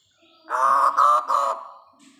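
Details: Young hooded butcherbird giving one drawn-out, nasal, honking call of about a second, broken into three joined pulses, in otherwise quiet surroundings.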